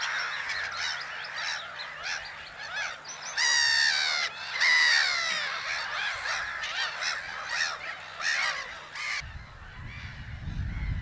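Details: Black-headed gulls calling at Haaksbergerveen in Twente, Netherlands: two loud, rasping, drawn-out screeches stand out over a busy colony chatter of shorter harsh cries. A low rumble, likely wind, enters near the end.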